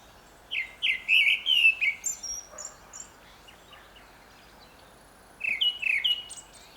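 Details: A grey-backed thrush in Korea sings two bursts of quick, fluty phrases with thin, high twitters, separated by a few seconds of pause, over a steady soft hiss.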